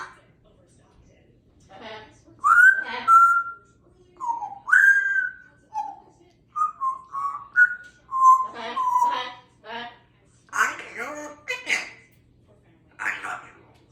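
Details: Pet African grey parrot chattering indoors in the morning: a busy run of short whistled notes, rising slurs and level tones, mixed with raspy speech-like phrases, loud and almost continuous through the second half.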